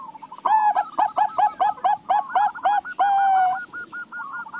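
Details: Zebra dove, a Bangkok and local crossbreed, singing while other doves answer. A quick run of about ten short, throaty coos ends in one drawn-out coo. Softer, rolling coos from further doves follow.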